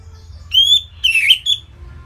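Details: Orange-headed thrush song as a tutor recording for cage birds: a long clear whistle, then a brief pause and a slurred, twisting phrase ending in a short bright note.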